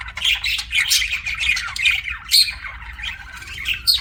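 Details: Budgie squawking and chirping in a quick, raspy chatter with a few bright whistled squeaks, roughly two notes per second, irregular.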